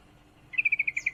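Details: Female yellow-vented bulbul in breeding condition calling to a male: one quick burst of about seven sharp, even chattering notes, slightly falling, following a brief quiet start.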